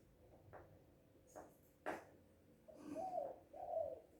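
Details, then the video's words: Spotted dove in a happy mood, calling loudly; a few sharp clicks and taps come first, then two smooth, low, hollow coos close together at the end. "Suara Burung Tekukur ini Mantap Kali Bah"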